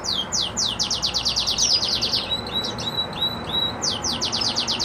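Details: Happily singing Red Agate canary delivers rapid trains of high, steeply falling notes, a brief stretch of short flat whistled tones, then another quick descending trill.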